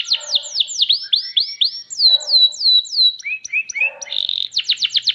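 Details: Champion canary song of looping, curved whistled notes repeated about three per second, shifting to lower short rising notes, a brief buzz, then a quick trill.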